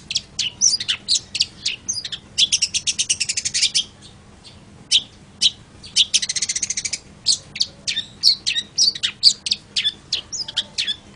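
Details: Long-tailed shrike (cendet) in sustained varied song: chattering high notes, two bursts of rapid harsh rattling trills, and a quiet pause in the middle before the scratchy chirping resumes.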